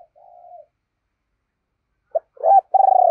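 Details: Deep-voiced decoy spotted dove calling to lure wild birds. A soft low coo, a pause, then a sharp short note, an arched hoot and a loud, long, throbbing coo that gently falls.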